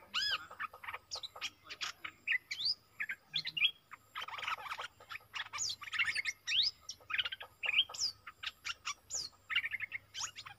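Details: Decoy bulbul, long kept in a cage and keen for combat, calling to draw a rival on 31 December 2021: a continuous run of sharp chirps, hooked whistles and buzzy bursts, with a faint low hum.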